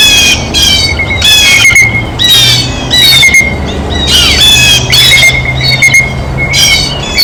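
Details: Blue jays feeding at a feeder, calling in harsh, nasal squawks repeated roughly every second, each with bright layered overtones, with a faint low hum underneath.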